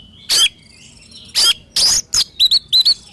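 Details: Oriental magpie-robin song: three loud harsh, rasping notes, then a quick series of short whistled notes with a slight upward flick, repeated in pairs.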